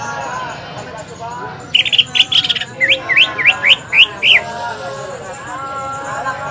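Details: Green leafbird, a contest bird recorded at a bird-song practice event at Lapangan Semparuk, singing to provoke other birds to sing: a short burst of buzzy high notes, then six quick rising whistled slurs, over background birds and faint voices.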